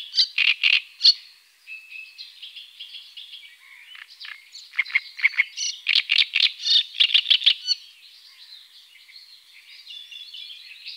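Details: On the Tovačov fishponds in the Czech Republic, 2013–2014, great crested grebes with chicks give high, squeaky calls. A short burst comes first, then softer twittering, then a fast run of shrill peeps and a quieter tail.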